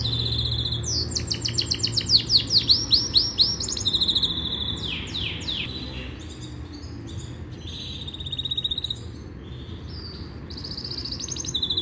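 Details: Yorkshire canary singing a training song: fast rattling trills and sweeping high notes in bursts, broken by short pauses, then a steady high whistle and renewed rapid phrases, with faint background hum.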